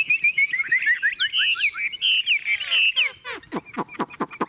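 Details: Caged, tame Chinese hwamei in full song: rich warbled whistles wobbling in a steady band, then a fast run of sharp descending notes and loud clipped chips at the close.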